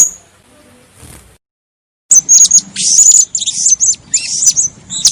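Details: After two quiet seconds, a female blue-crowned hanging parrot bursts into busy, very high chatter: thin squeaks, short whistled slurs and buzzy notes tumbling together without pause.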